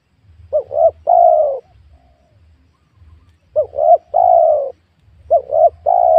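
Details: Repeated spotted dove coos from young oil palm land where wild doves are being lured; three phrases, each of two brief rising coos and a long downward-sliding coo, spaced about two seconds apart.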